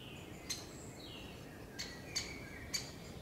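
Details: A great spotted woodpecker, one of a pair with young in a woodland tree, gives four sharp, high 'kik' alarm notes at uneven intervals over about three seconds while mobbing a pine marten nesting below; faint thin whistles and a low hum.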